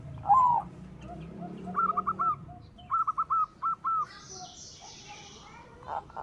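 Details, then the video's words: Singing white zebra dove, a song said to draw other doves into singing: a single coo, then two short clusters of quick staccato cooing notes over soft background rumble and a brief hiss. "Suara Perkutut Putih Gacor PANDAI MEMANCING Bunyi, Menaikan Birahi Bikin Gacor Semua Jenis Perkutut."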